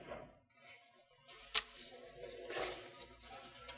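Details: Soft music plays under scattered sharp clicks and rustling handling noises, with no animal call present.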